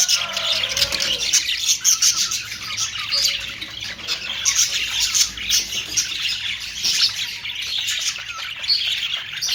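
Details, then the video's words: Budgerigar, known as Australian parrot: a long run of busy, shrill squawks and chirps from several overlapping birds, dense and without breaks. "Austrailian perrot beautiful sound"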